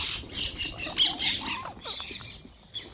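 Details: Wild green parrots calling during feeding, with high, grating squawks and short, sliding chirps from several birds in quick succession.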